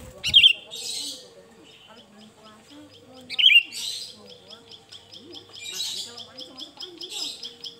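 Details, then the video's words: Sooty-headed bulbul, varied song used to lure birds: two loud sharp chirps about three seconds apart, with softer twittering and rapid pulsed notes between, faint rustling and low background murmur. "Suara burung kutilang Fariasi"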